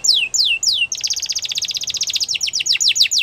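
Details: Three falling whistled sweeps from a canary give way to a long, very fast, pulsing trill that slides into quicker descending notes; high-pitched, loud and clear.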